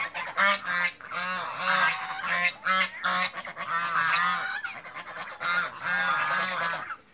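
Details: Backyard flock of adult and young African geese honking: a rapid chorus of brassy, nasal honks, many overlapping, in uneven bursts with brief pauses between.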